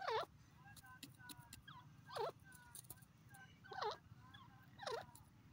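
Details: Francolin calling in a noisy setting: looping harmonic notes about once a second amid broadband background noise.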